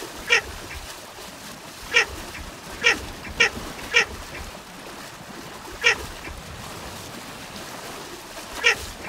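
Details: Baer's pochard uttering a series of seven short, coarse quack-like notes, loosely grouped with a longer pause midway, each note a sharp raspy burst against steady background noise.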